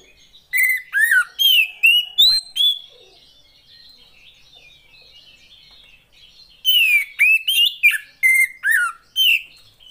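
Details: Female Oriental magpie-robin, a cage bird, singing to prompt reluctant males into song: two bursts of loud, sharp, whistled and harsh notes about two per second, separated by a quieter stretch of soft warbling.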